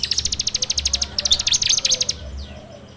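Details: Bar-winged prinia singing a full 'ngebrem' lure song, recorded on an Android phone: a fast, dense rattle of some twenty-five high, sharp notes lasting about two seconds, then fading away.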